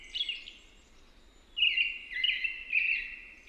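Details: Brief American robin song: a few slurred, whistled caroling phrases, a quieter one followed by three louder ones, over a faint low rumble.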